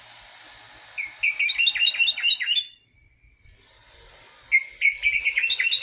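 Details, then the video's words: An orange-headed thrush delivers a lure song meant to make birds sing loudly: fast trains of short rising chirpy whistles, a brief quiet gap, then another quick series of repeated whistled notes. "Pancingan anis merah paling ampuh dijamin burung manapun akan ikut bunyi gacor ngeplong"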